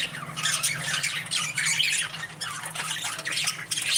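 Budgerigars chirp and warble in a busy, continuous stream of high, scratchy notes.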